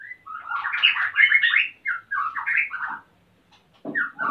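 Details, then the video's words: Male white-rumped shama in breeding condition, wanting to mate while the female builds a nest, at a captive breeding site in Salaman, Magelang, Central Java: rapid warbled, chattering phrases of varied mid-pitched notes, then a brief pause and a fresh burst. "MURAI BATU JANTAN SUDAH BIRAHI DAN MINTA KAWIN !!!"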